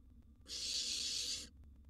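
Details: Barn owl nestling, wild, begging in its nest box while a large gerbil is delivered: a single harsh, breathy hiss of about one second, sharply starting and stopping, against near silence.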